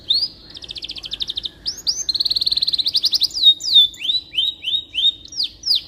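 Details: Canary song used to tutor white-rumped shamas: a buzzy pulsed roll, a long fast trill of even notes, then a series of separate rising whistled slurs, about three per second, over a quiet background.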